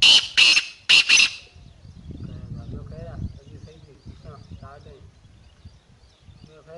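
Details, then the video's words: Black francolin calling from a rock top, the clip opening with three loud, rasping, scratchy bursts in about a second, followed by a long stretch of low background voices and murmur. "Kala Teetar Awaaz |Teetar ki Awaz | Black Teetar calling |Partridge voice | Calling from top of rock"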